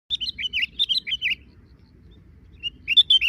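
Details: Sooty-headed bulbul calling while drinking: two bursts of short, bright chirping notes that dip and rise, a cluster in the first second and another near the end, with a faint low hum beneath.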